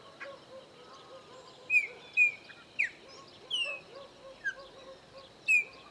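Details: Chopi blackbird among three visiting a farm in Bahia's Caatinga; ringing whistled notes, some sharply falling, delivered every half second or so, with soft lower chirps and steady insect noise.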